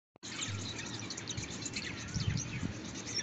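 A Bengalese finch sings a rapid, scratchy jumble of high chirps and buzzy notes over a steady background hiss and low rumble.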